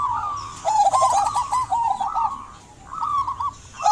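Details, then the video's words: Local zebra dove calling eagerly to spur quiet doves into song: a run of looping coo notes, a brief lull near two and a half seconds, then fresh coos starting again, with faint high chirps. "Perkutut lokal gacor buat pancingan perkutut pendiam agar bunyi"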